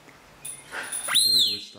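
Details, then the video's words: Pet rainbow lorikeet imitating an R2D2-style phone ringtone bleep, excited when a bell ball is rolled on the floor; breathy gurgles then a loud electronic-sounding whistle sliding and holding high, with a person talking before. "Star Wars R2D2 Bird - Greg the Rainbow Lorikeet"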